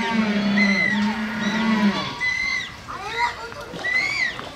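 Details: At Hamura City Zoo in Japan, 20 June 2015, a Humboldt penguin ends a low harsh bray in the first two seconds, followed by thinner high whistled squeals and short rising notes, probably from people nearby.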